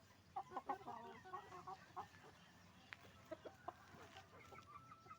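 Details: Hens and roosters in a chicken farm: a burst of rapid clucks in the first two seconds, then fewer, spaced single calls against a low constant background noise.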